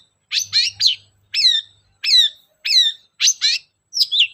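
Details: Long-tailed shrike in lively song, played to coax other shrikes into singing: a string of bright, downward-swept whistled notes. They come singly or in twos, about one phrase every half second, with a faint low hum underneath.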